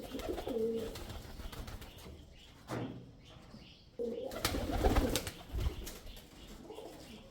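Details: Male pigeon cooing: soft, low murmuring coos in two bouts, one near the start and a louder one midway, separated by quieter background noise.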